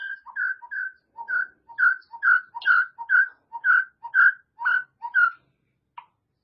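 A white-rumped shama sings clear, fluting whistled phrases, each a short low note and then a brighter one, repeated about twice a second.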